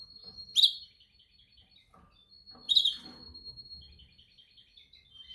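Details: Singing canary in song training: a long, pure, steady high whistle runs behind two loud bright chirps about two seconds apart, with fast rolling trills between them.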